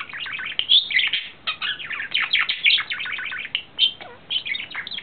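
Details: April 2009 recording of a courting male budgerigar in love: bursts of chattering chirps, squeaks and clicks with brief gaps, including a short series of descending whistled notes near the end.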